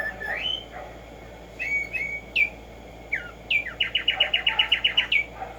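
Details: Tumba Yegua whistles several sharp downslurred notes, then accelerates into a quick, regular string of about ten bright chips that ends in a final slurred whistle.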